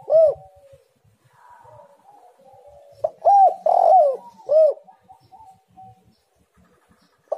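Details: Cooing of a spotted dove, meant as a lure for doves to start singing: short arched coos spaced across several seconds, with one longer wavering phrase in the middle and quiet gaps between.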